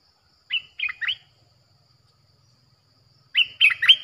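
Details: Streak-eared bulbul delivering a fierce lure song for attracting wild birds: two matching phrases of three quick, bright slurred notes, roughly three seconds apart, with near silence between them.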